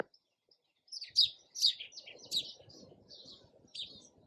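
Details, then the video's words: Sparrow chirping in a quick run of sharp, high chips and twitters after a brief quiet start, over a soft low rumble of background noise. "SOUND OF SPARROW RELAXING CHIRPING SOUND."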